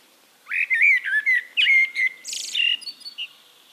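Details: Eurasian blackbird song from Castricum, the Netherlands: after brief quiet, warm low whistles and a long level fluted note, then a harsh squeaky burst and a few thin high notes.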